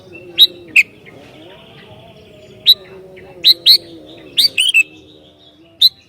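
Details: Sooty-headed bulbul provoking other bulbuls with scattered sharp chirps and brief two-note phrases, irregularly spaced, against a steady low drone.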